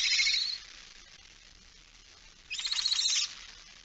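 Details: Barn owl, female carrying a mouse, recorded 17 September 2019 at 06:11; two short rasping screeches separated by two seconds of quiet hiss.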